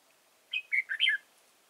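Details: Red-whiskered bulbul serving as a lure bird for trapping, Chùa Hương, 31 March 2018; one crisp phrase of four bubbly notes, the third lowest and the final one dropping in pitch, with silence around it.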